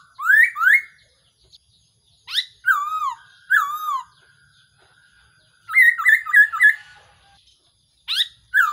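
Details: Black-throated laughingthrush, a recording used as a decoy call for trapping: loud clear whistled notes, some rising and some falling, given in bursts of two or three with pauses between, ending in a rapid run of short warbled notes.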